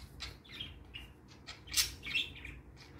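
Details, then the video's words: Pet parakeets, three kept together indoors, happy in the morning while playing: scattered short chirps and squeaky notes, some sharp and loud, spaced irregularly over a quiet room background. "Cute Parakeets Chirping and Playing"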